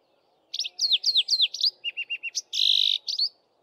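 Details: Male Streaky-headed Seedeater singing in canary style from a bushtop during the dawn chorus, while females build nests: a fast varied phrase of looping sweet whistles, then a row of short lower notes, a dense buzzy trill and a final whistled flourish.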